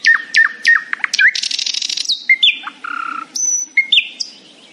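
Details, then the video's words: Morning song of a happy nightingale, mixing short whistles and downward flicks with a buzzy rattling trill, a low steady whistled tone, then high pure notes; varied phrases follow one another without pause, with little background sound. "A happy nightingale singing in the morning."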